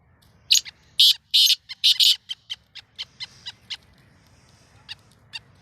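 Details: Pet black francolin, Sindhi-type teetar, making its first try as a caller: a loud burst of harsh rasping notes in uneven groups, followed by a trail of fainter clicking repeats about twice a second.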